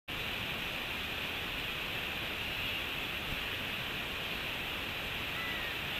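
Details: Steady broadband hiss, like rushing water or wind, fills the whole recording with no clear animal calls.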